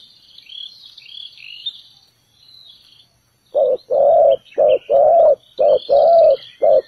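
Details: Spotted dove used as a ground decoy to lure wild doves into a trap. After faint high chirps from small birds, low cooing starts at mid-clip in paired notes, a short coo followed by a longer one, repeated steadily.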